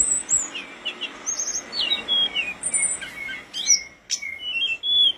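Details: Tledekan gunung, a mountain flowerpecker, in full song: sparse thin, high whistled slurs and short twitters over a steady background hiss.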